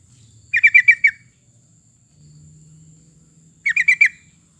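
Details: Sooty-headed bulbul calling, meant as a lure to draw song from other birds: two matching bursts of four or five rapid, liquid chirps about three seconds apart over a low steady hum.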